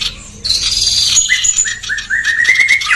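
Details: Female sooty-headed bulbul singing vigorously, a fast, dense, harsh song for training other songbirds: a high thin descending whistle, then a quick run of short chirped notes that climb gradually higher toward the end.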